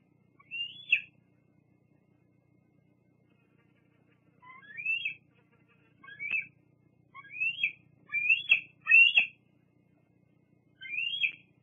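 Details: Scattered high squealing calls from a juvenile bald eagle at the Fraser Point nest, 8 August 2022; short upslurred squees separated by silent gaps, mostly bunched between the fifth and tenth seconds.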